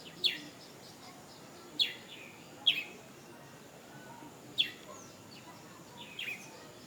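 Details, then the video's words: A bird known locally as cirecet gives sharp, high, downslurred chip notes one at a time, one to two seconds apart, against a steady background hiss. "Kicauan Burung Cirecet"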